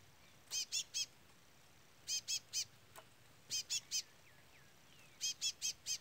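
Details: Chick of a chestnut-bellied seed finch peeping throughout while a brown-plumaged curió does not sing; clipped, buzzy notes delivered in four tidy triplets across six seconds, with a few soft slurred chirps and a light tap.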